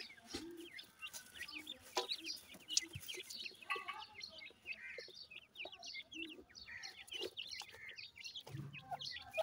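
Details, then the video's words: Feeding francolin chicks, locally called teetar, give many quick high cheeping notes that run together almost continuously, over faint background noise and a few sharp clicks. "calling bird teetar chicks,irani francolin chicks feed"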